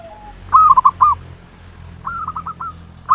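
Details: Local zebra dove song used as a lure, ngayer nulop style: a short soft coo, then a loud trilling burst of four bubbling notes, followed by a quieter rippling phrase of similar quick notes.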